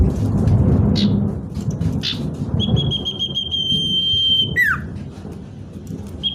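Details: Common iora song for luring wild birds near, a long level whistle lasting about two seconds that ends in a quick falling slur, followed by a brief whistle, with loud low rumbling noise throughout.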